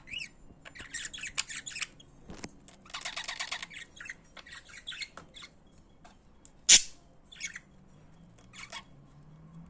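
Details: Kept budgerigars in song, clusters of rapid scratchy chirps and rasping trills with one sharp loud click, then a few softer chirps trailing off toward the end.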